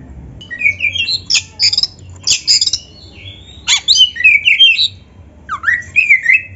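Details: White-rumped shama in energetic full song meant as a tutor for young or quiet shamas; bursts of buzzy chattering notes mixed with clear sliding whistles, separated by short pauses.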